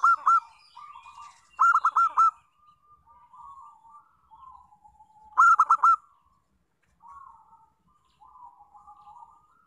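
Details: Zebra dove, local type, used as a lure to draw song from other doves. Three loud bursts of quick staccato notes, each trailing into gentle, purring trills at a steady mid pitch.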